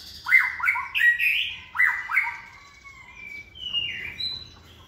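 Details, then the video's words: Caged white-rumped shama, a second-season bird hand-raised from the nest and strong in competition singing, delivers loud slurred whistled notes in quick pairs, then softer high thin notes fading away. "chòe lửa dáng sẻ, hót cực bền nết chuẩn đấu giàn"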